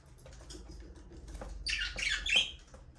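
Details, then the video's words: Aviary budgerigars chatter quietly, then a bright burst of harsh, buzzy chirps rises briefly near the end over a low steady hum. "Budgies parrot #chirping sound"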